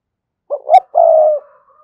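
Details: Single cooing phrase of a spotted dove calling rival wild doves: a short note, a rising note, then a long even coo fading away.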